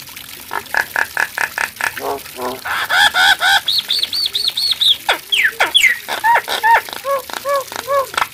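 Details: Nias hill myna song: varied loud whistles, clicks and rapid chatter, including a run of even arched whistled notes and sharp upward and downward sweeps, delivered in quick succession.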